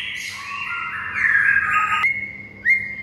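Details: White-rumped shama singing in the morning, a recording used as a master to teach other birds to sing: long sustained whistled notes near one pitch with a buzzy burst, then a sharp rising upslur.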